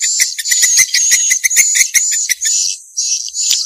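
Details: Swiftlet lure call, Vietnamese janda style: rapid ticking chirps under a high, sustained whistled trill that breaks into short separate phrases near the end.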